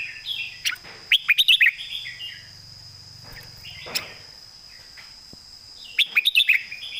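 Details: A red-whiskered bulbul sings in the southern master-song style: two bouts of rapid, sharp, bright notes run into short warbles, separated by a quieter stretch with a low murmur and a steady high hum.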